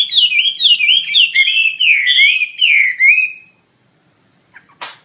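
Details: Chinese hwamei delivering a loud run of slurred, whistled phrases, each swooping down then up, repeated about twice a second, then silence and a brief sharp note.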